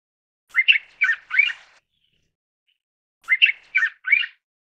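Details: A mountain bulbul (Hypsipetes mcclellandii, McClelland's bulbul) gives two bursts of three harsh, squeaky, rising and falling notes, about three seconds apart; nothing else is heard.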